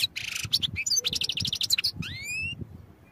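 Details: Training recording of European goldfinch song: opens with a buzzy rasp, runs into quick liquid twitters, then ends with a clear rising slurred whistle.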